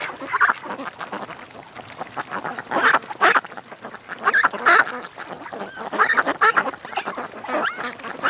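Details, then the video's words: Ducks at a creek: loud harsh quacks in clusters of two or three, with pauses of about a second between groups and low murmuring calls underneath. "Ducks At The Creek"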